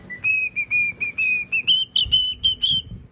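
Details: A pet cockatiel, which its owner calls noisy while asking what it is singing, whistles a run of clear, high, slightly wavering notes, holding one pitch and then stepping higher near the end, with soft human speech underneath.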